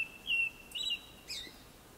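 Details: Japanese Thrush in song shortly before sundown, giving bright fluty whistles in quick two-part phrases, the last note rising sharply, against a faint, quiet background.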